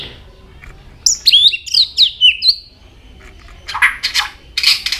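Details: Tail-flicking White-rumped shama singing varied notes: a quick series of high, sweeping whistles, then broad harsh, raspy bursts.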